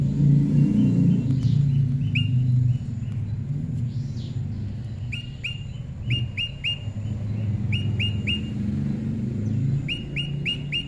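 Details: Prinia singing in the wild, recorded for pairing; short upslurred whistled notes given in quick runs of two to four, with a steady low rumble of background noise throughout.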